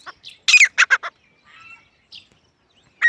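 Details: Grey francolin, known locally as teetar, giving a loud burst of harsh, rapid, chattering notes, then near silence with a faint note and the start of another burst at the end.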